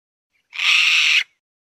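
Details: Mountain bamboo partridge uttering a single loud, rasping squawk lasting under a second, with silence before and after.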